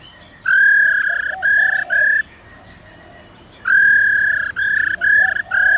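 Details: Forest-style laughingthrush song meant to call wild birds, a female accompanying: two series of long, flat, ringing notes, each split into three or four bursts with a quiet gap between series.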